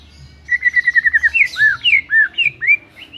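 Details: White-rumped shama (murai batu) in lively gacor song. A rapid string of about ten short, even chirps gives way to four or five loud, looping downslurred and upslurred whistles.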